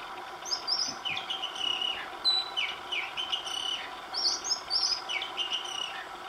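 Oriental magpie-robin singing a varied run of clear whistles, some rising and falling, mixed with higher sweet chirped notes, over a faint steady background hum.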